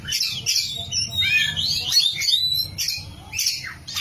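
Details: Kacer (oriental magpie-robin) singing energetically: quick sliding whistles and chattering notes packed together, several upward-swept phrases, with a faint low rumble in the background.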